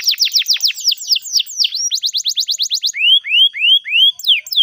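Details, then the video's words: Singing canary, recorded as a tutor for young birds learning song: fast runs of downward-sweeping whistles, a quicker rattling phrase, then several upward-slurred whistled notes, all high and loud. "Canary Beautiful Singing"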